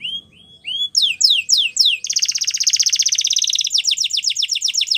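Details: Canary training song: a few rising whistled notes, then a series of quick downslurred sweeps, leading into a long, rapid rolling trill and a fast run of repeated chirps.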